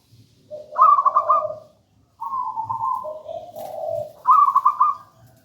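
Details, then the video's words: Local wild-type zebra dove, gedang rojo style, singing as a lure and master song; a bright trilled coo above a low purr, a long falling coo, then the trill repeats clearly in a quiet setting. "Perkutut lokal gedang rojo gacor merdu bird voice"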